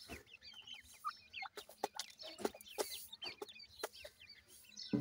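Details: Calls of little grey francolin chicks seeking their mother: rapid high peeps and twisting thin whistles from several chicks, punctuated by scattered clicks and thumps.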